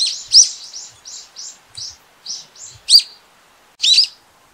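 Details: Brown-eared bulbul calling often: a close, loud series of harsh squeaky notes repeated rapidly, ending with two stronger shrill squeals, in a quiet setting.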